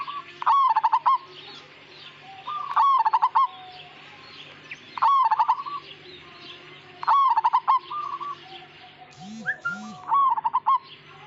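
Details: Zebra dove of the Majapahit type in full, continuous song. Repeated phrases, about every two seconds, join a short mellow note to a quick run of clipped, rolling coos. Near the end come a few brief higher chirps and low swooping sounds.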